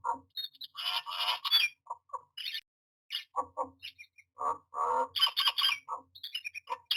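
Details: A myna at its nest box during nesting, 9 June 2022, gives harsh, grating squawks and chattering notes in bursts separated by short gaps, mixed with lower croaks and a few clicks.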